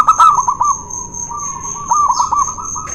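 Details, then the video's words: Zebra dove song, local and white birds, used to prompt doves reluctant to sing: bubbly, rapid cooing notes near one pitch in two bursts, with a quieter steady stretch between, over a constant high-pitched whine. "PANCINGAN BURUNG PERKUTUT MALES BUNYI..DUEL MAUT LOKAL VS PERKUTUT PUTIH"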